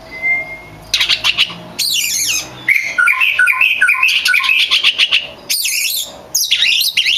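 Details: Singing oriental magpie-robin, recorded as training material for other songbirds: a short pure whistle, then loud buzzy harsh bursts and a quick string of mixed whistles and chirps, with repeated rasping phrases near the end.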